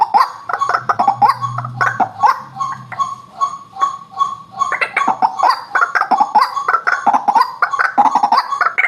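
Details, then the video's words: Lure sound of a white-breasted waterhen: choppy, guttural notes, then a stretch of steady repeated clucks, followed by a louder, jumbled run of harsh croaking calls. "suara asli pikat burung ruak ruak"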